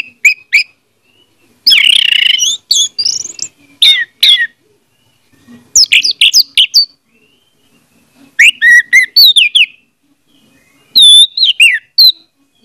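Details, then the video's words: Orange-headed thrush singing, used as a lure to draw song from a silent bird: bursts of varied, rich whistled and chattering phrases, some sweeping downward, with short silences between them. "audio suara anis merah || pancingan ampuh untuk ania merah membisu"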